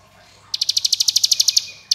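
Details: Ciblek gunung (hill prinia) in ngebren style: a single one-second burst of rapid, sharp, high pulses, like a dry machine-gun rattle, followed by the start of another burst.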